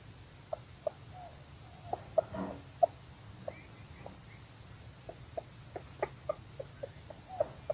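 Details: Wild red junglefowl hen approaching a lure: short, soft clucks repeated at irregular intervals, about a dozen over eight seconds, with a brief rustle partway through.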